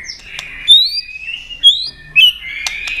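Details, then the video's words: White-rumped shama giving a fighting song while tail-flicking to provoke a rival: a few clear, high whistled notes, some rising and some sliding, separated by short pauses, with a sharp burst near the end. "chòe Lửa đập đuôi tạch kích căng, kích Chòe Lửa hót đấu căng lửa.chòe Lửa hót giọng dài"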